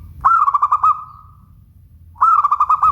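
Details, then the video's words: Local zebra dove giving clear, mellow cooing: a sharp opening note then a rolling series of soft pulsed coos trailing off, repeated twice about two seconds apart, with faint low hum beneath. "Suara Bening Burung Perkutut LOKAL"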